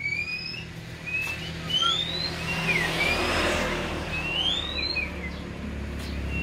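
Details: A hand-raised Oriental magpie-robin with a black bib and white belly sings clear, rising and falling whistled phrases in quick succession, over a steady low rumble of traffic.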